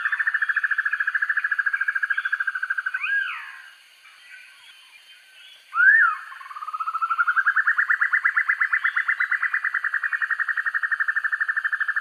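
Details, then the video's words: Dusky broadbill master recording for training birds: a steady buzzy trill ends, two sharp rising squeals follow, then another long rapid trill starts low and rises slightly before holding level. "Sempur-Hujan Rimba: Penampilannya Garang, Suaranya Sangar Untuk Masteran"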